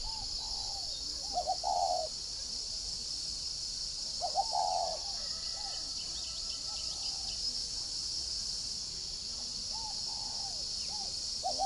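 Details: Decoy spotted dove of the whistle-voiced (giọng còi) kind delivering two strong cooing phrases of clipped lead-in notes and a long coo, then quieter repeated coos, while a shrill insect hum persists throughout.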